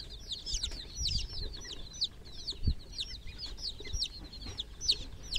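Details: Quieter chorus of chicks in a water pool: high thin peeps sliding downward, repeated in irregular clusters, with occasional low knocks beneath.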